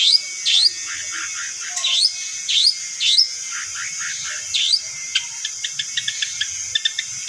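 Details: Long-tailed shrike lure recording: high, thin notes sweeping steeply downward, repeated about every half second, then a rapid series of short sharp chips, over a steady background hiss.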